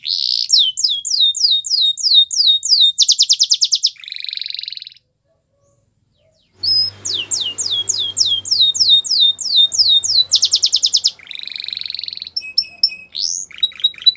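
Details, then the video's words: Canary singing, used for training young canaries: series of high downward-sweeping notes, rapid rattling trills and buzzy rolls, broken by a silent gap of about two seconds midway, then more sweeps and short whistled notes. "Canary Training Video | Canary Bird Sounds"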